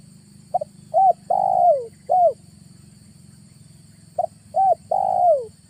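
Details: Spotted dove lure call played for trapping wild doves in August: two loud four-note phrases about three and a half seconds apart, each a short coo, a hooked coo, a long drawn-out falling coo and a final hooked coo, over a low steady hum.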